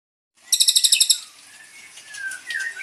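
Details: Young white-rumped shama, the eighth chick, just taken from the breeding cage; a rapid train of about nine high, harsh chirps, then faint softer notes and a rising whistle.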